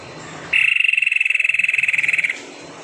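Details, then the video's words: White-necked tepus recorded as a lure to prompt reluctant birds to sing: one steady, rapidly pulsed whistled trill lasting about two seconds, even in pitch, over faint background hiss. "SUARA ASLI TEPUS LEHER PUTIH GACOR"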